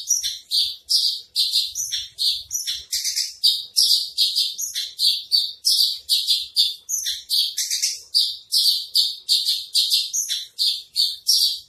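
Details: Javan bush lark, called branjangan trotol, singing a masteran: a long, lively run of high chattering and buzzy notes in tight, rhythmic bursts, with faint low knocks beneath.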